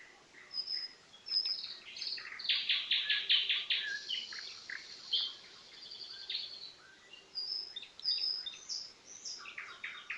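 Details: Common nightingale singing among other birds: loud bursts of fast repeated notes, short high whistles and varied warbled phrases that come in waves, with a continuous background of birdsong.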